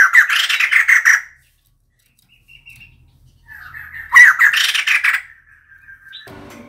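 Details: Female White-crested laughingthrush used as a decoy: two bouts of harsh, quickly repeated chattering pulses, separated by a quiet gap with faint thin notes and followed by a drawn-out whistled tone.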